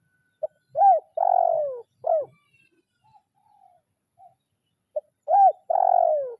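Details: Spotted dove calling a rival in a lure-training recording of the kuk 0-1 style: short clipped notes, a rising-falling hooked coo, then a long, drawn, slowly falling coo, repeated after a pause.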